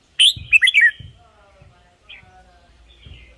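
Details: Red-whiskered bulbul, a caged bird whose song is used as a decoy or played to excite other birds. A quick burst of four or five slurred, liquid whistled notes, then a fainter short note and low knocking thumps.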